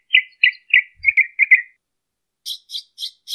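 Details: Northern mockingbird singing live in Colton, California, on 23 March 2015: six clear chirped notes near the same pitch, then a switch to four higher, brighter repeated notes.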